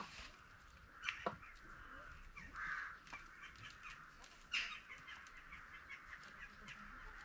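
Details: Peafowl kept on a peacock farm, including Spalding and emerald birds: a short, loud nasal call stands out from a constant background of many overlapping, raucous bird calls, with a few sharp clicks.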